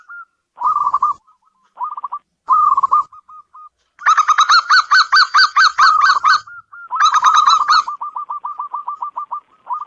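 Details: Indoor local zebra dove giving several short bursts of quick coos, then two loud rapid runs, finishing with a long even trill of soft, evenly spaced little coos.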